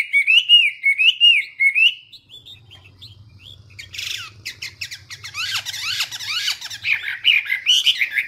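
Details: Chinese hwamei singing: loud, clear whistled phrases rising and falling, repeated for about two seconds, then a rapid jumble of varied chirps, slurred notes and harsh fragments over a faint low hum.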